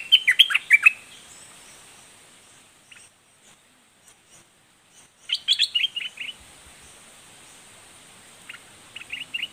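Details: Red-whiskered bulbul delivering dok taeng style song: a jerky phrase of four or five warbled notes, repeated after a few seconds, and a softer echoing phrase near the end.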